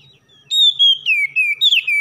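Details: Oriental magpie-robin morning song for stimulating lazy birds to sing: a short, loud phrase of pure whistles sliding gently downward, closing with a quick rising flourish, faint low thumps beneath.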